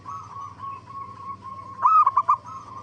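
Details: Zebra dove song used to lure other zebra doves into answering: a drawn-out soft cooing tone, then a sharp rising note followed by three quick pulses.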